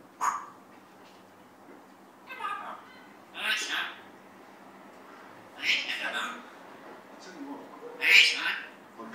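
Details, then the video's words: A pet African grey parrot talks in short bursts of mimicked speech, four or five phrases spaced a second or two apart, some harsh and bark-like; the bird is known to talk, bark, say "Lisa" and swear. "African Grey Parrot talking"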